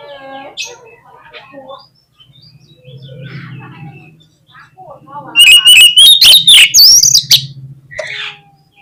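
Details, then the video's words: Oriental magpie-robin (kacer) lure song to provoke a quiet bird into singing: soft scattered chirps over a low hum, then a loud burst of fast, bright whistled notes rising steadily for about two seconds, ending in a brief squeak. "KACER LANGSUNG PECAH SUARA MENDENGAR PANCINGAN INI !!! KACER LOYO PASTI IKUT GACOR"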